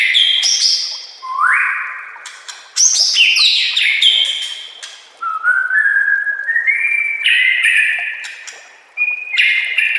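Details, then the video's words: White-rumped shama master song for training other shamas: rising whistled slurs, crisp chips and a rhythmic series of short stepped whistles climbing in pitch, phrases separated by brief pauses. "Masteran murai AMPUH yang di pakai semua burung juara"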